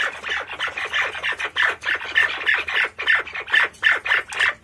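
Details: White-faced partridge producing dense, rapid rasping notes, about three to four per second, a scratchy chattering stream with brief clearer tones mixed in.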